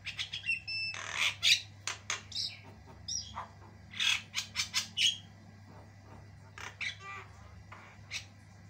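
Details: Varied long chatter of a white-eyed Javan myna singing non-stop: quick harsh squawks, buzzy rasps and thin whistled notes in irregular bursts, a constant low hum behind.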